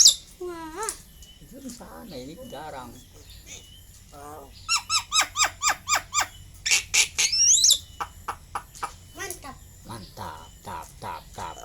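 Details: Pet Asian pied starling that imitates human words, producing bending voice-like syllables, then a fast run of about ten evenly spaced sharp chips, followed by squeaky notes; faint music in the background.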